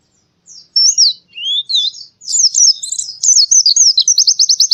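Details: Central Javan white-eye, Indonesia, forest-style training song: rising and falling high whistles grow denser into tangled twittering and end in a quick, regular trill.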